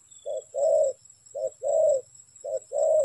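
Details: Three loud coo pairs from a spotted dove used in trapping, each a brief low note followed by a longer mellow croon, with a low faint rumble and a thin high whine underneath.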